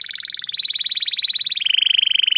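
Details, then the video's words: Captive canary pouring out a fast rolled trill that holds steady, then drops slightly in pitch toward the end. "O CANTO desse CANÁRIO,vai esquentar seus filhotes"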